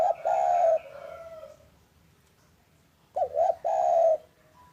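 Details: Spotted dove of the local type cooing in the afternoon, used as a lure for reluctant doves: a long coo trailing off, a pause, then double quick hoots and another long coo.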